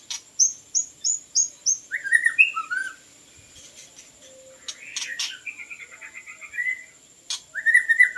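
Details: White-rumped shama, sound used as a bird lure: five evenly spaced high piping notes, then lower slurred whistles, a buzzy stuttering trill, and a final bright whistled phrase.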